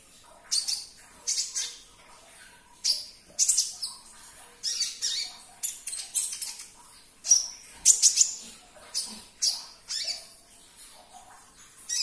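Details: Sunbird song used to coax a caged bird into singing. Short, very high, scratchy chirp bursts are repeated roughly every half second to second, with a few thin pure whistled notes near the middle.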